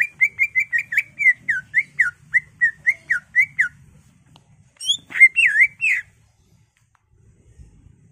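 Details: Greater green leafbird in full, agitated song, played as a lure to provoke caged birds into singing: a brisk run of about a dozen clear, down-slurred whistles, then a short pause and a burst of higher, twisting notes.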